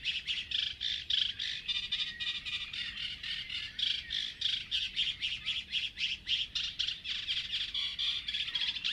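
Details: Song of a migratory common reed warbler recorded at Urdaibai, Basque Country: a steady stream of scratchy, chattering phrases, each note repeated two or three times before switching, about four notes per second.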